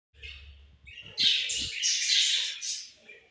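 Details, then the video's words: Budgies chirping: bright, high, scratchy warbles and chatter that swell in the middle, over a faint low hum at the start. "Very Beautiful Budgies Chirping Sounds"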